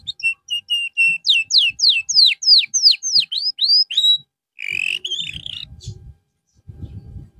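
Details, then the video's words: Canary singing in a therapy recording meant for a bird that has lost form: a run of steady whistled notes, then a rapid series of falling sweeps repeated about three per second, ending in a short rough, buzzy burst with faint low thumps. "TERAPI BURUNG KENARI SETELAH AMBROL"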